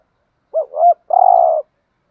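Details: A single spotted dove coo phrase used to stimulate doves: two short rising hoots, then a longer, evenly pulsing coo, in silence.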